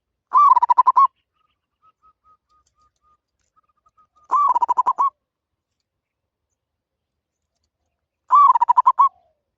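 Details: Three identical phrases of quick bubbling coos from a zebra dove, each under a second long and spaced about four seconds apart, with a faint thin whistle between.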